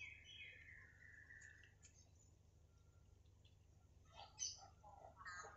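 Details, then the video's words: Captive lory in a collection of chatty birds opens with a long, clear whistle sliding slowly downward, falls quiet, then bursts into several harsh, scratchy squawks close together. "KOLEKSI BURUNG NURI GACOR"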